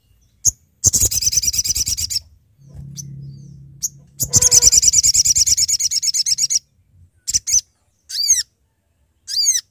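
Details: Sooty-headed bulbul in lively voice calling companions, used as a trapping lure: fast, buzzy, rattling chatter in two long runs separated by a low hum, followed by several short, bright, sweeping chirps.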